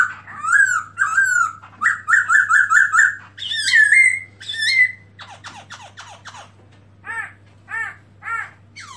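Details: Varied melodious song of the black-throated laughingthrush (Garrulax chinensis), open-tail posture, 2017: clear rolling whistles and a quick chain of five even notes, rising upslurred calls, a burst of scratchy notes, then spaced arched chirps about every second.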